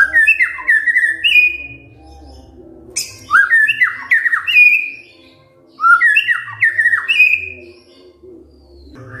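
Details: White-rumped shama calling in 'kretekan fighter' fashion to draw a response from silent birds: three bursts of harsh, rapid falling chirps separated by short quiet gaps, with a low background hum.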